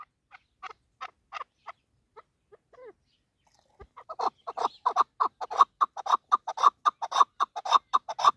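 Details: Female chukar partridge used for hunting: a few soft, spaced clucks, then a rapid, steady series of loud, harsh chuck notes at about two per second that grows stronger toward the end.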